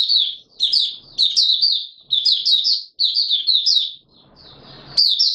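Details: Kept Oriental white-eye (Mata Puteh Raja) singing its opening song, 24 March 2022: quick runs of high chirping notes in repeated bursts, with a softer, noisy pause near the end before the song resumes.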